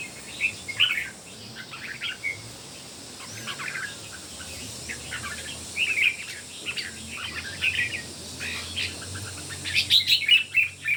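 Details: Red-whiskered bulbul among three birds singing in competition; many short chirped and whistled notes scattered across the whole stretch, denser bursts near the end, over faint steady background hiss.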